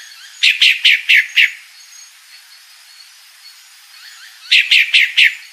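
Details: Female pale-breasted thrush calling: two bursts of five quick, harsh, slightly descending notes, about four seconds apart, with faint background chirps.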